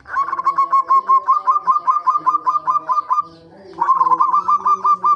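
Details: Zebra dove (perkutut) song played as a lure to get birds singing: bright, quick coo notes repeated about two and a half times a second in a steady run, a short pause, then the series resumes, over a low steady hum.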